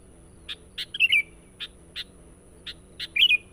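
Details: Energetic sooty-headed bulbul song meant to lure wild birds. Sparse sharp notes lead into two rippling, whistled warbles, with quiet spaces between.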